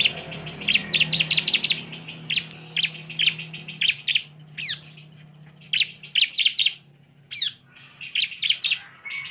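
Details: Bar-winged prinia singing energetically, a lure recording meant to provoke other prinias: clustered high, dry chips in rapid bursts, with a few downward-sweeping notes and a low background hum.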